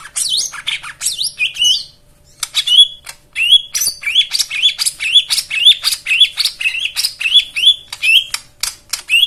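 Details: Lively white-eye singing intended to coax silent birds into song: sweeping high whistles, then a long run of quick, repeated downslurred chirps with sharp ticks between them, barely pausing.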